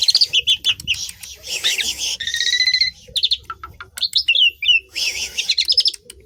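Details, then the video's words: Asian pied starling song: a rapid patter of high chirps, a rattling trilled phrase and a few deeper notes. Scattered squeaky whistles and a final chattering burst follow. "BURUNG JALAK LANGSUNG BUNYI SEMUA,, STARLING"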